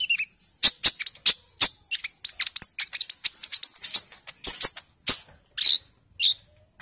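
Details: Young Konin bird at the early speckled-green plumage stage, conditioned by being kept among other birds, singing as a lure to prompt other birds to sing: rapid dry clicks and chattering notes, with a few high whistled notes scattered through.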